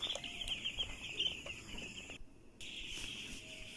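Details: Young chickens peeping during eye vaccination, a dense, steady band of high, shrill chirps from many chicks, broken by a short silence near the middle before the chorus resumes.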